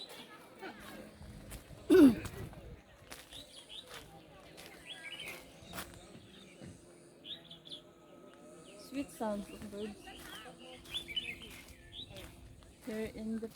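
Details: Wild birds in a forest at Hac Sa, Macau, giving short, high chirps and twittering notes scattered through the recording. A loud low thump sounds early on, and a faint voice is heard in the background.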